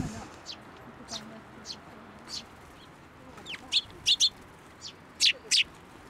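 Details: Sparrows coming to be fed from the hand at a Tenmangu shrine, 10 June 2024; spaced soft chirps, then louder sharp doubled tweets in the second half.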